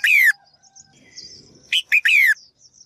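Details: Female bird calling to stimulate males to sing actively: two loud, harsh descending notes with rich overtones frame a brief cluster of short chips, with faint high twittering and a quiet low rumble between them.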